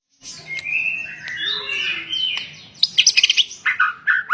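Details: White-rumped shama singing: long sliding whistled phrases around the middle range, then a burst of sharp, rapid chattering notes and short clipped whistles toward the end.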